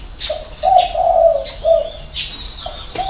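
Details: Spotted dove in six-note hậu 3 cooing: a short series of deep, rounded coo notes, the middle one drawn out, with thin chirps of other birds around it.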